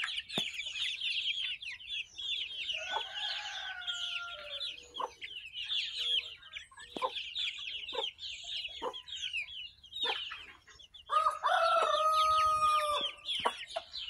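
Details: Chicks in a barnyard, hatched May 21, 2024 and heard on June 22, 2024: a dense flock of high, downslurred peeping notes repeated rapidly, with a louder hen-like harmonic call near the end.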